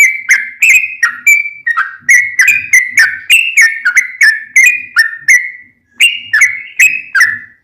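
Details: Lively trucukan song of a yellow-vented bulbul, meant to coax other bulbuls into answering: continuous bright, slurred chirping whistles, each note bending down or up, delivered several per second with a short break.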